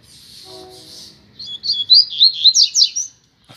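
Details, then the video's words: One of a pair of rusty-collared seedeaters, out on a street, delivers a lively, high-pitched phrase of about eight quick slurred syllables after a soft hum and a brief rustle. "Casal de Coleiro na Rua - Muita Fibra e Canto!!!"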